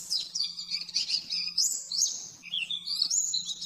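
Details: Oriental white-eye 'nembak-nembak' master song for caged-bird training: breathless, high chattering trills that swoop up and down, with a short dip to lower notes near the end and a faint background hum.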